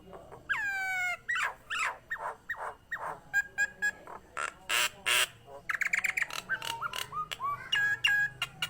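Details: A Nias hill myna in full voice, meant to encourage other Nias mynas to sing, opens with a loud falling whistle, then irregular harsh squawks, a long raspy burst, and quick chattering notes with short whistles.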